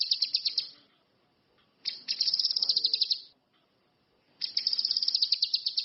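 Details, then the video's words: Orange-headed thrush (cucak kinoi, ranti mas) from the wild, singing actively, gives three bursts of rapid, high, ringing chirped notes, each about a second long, separated by short silent gaps. "SUWARA BURUNG CUCAK KINOI/ RANTI MAS, GACOR Masse.."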